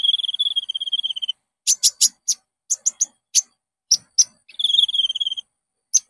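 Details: Olive-backed sunbird (konin) lure song for prompting caged birds to sing. A rapid buzzy trill opens and closes the clip, separated by sharp high chips in uneven groups.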